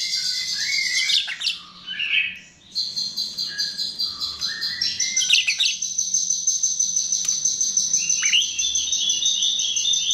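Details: Chestnut-tailed starling song used as a lure, with squeaky rising and falling whistles, a short pause, then long, steady, high, rapidly pulsing chatter with occasional upward-swept notes.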